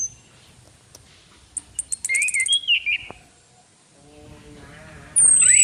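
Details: Female orange-headed thrush call used as a lure: a short rising-falling whistled phrase near mid pitch with rapid high ticking notes before it and a sharp high descending whistle at the end.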